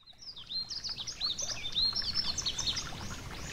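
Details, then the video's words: Yellow-throated bunting beside a gentle stream: a run of high, thin twittering chirps and quick down-slurred notes, fairly continuous for about three seconds over a steady rushing water hiss. "A Gentle Stream & The Yellow-Throated Bunting (Emberiza Elegans)"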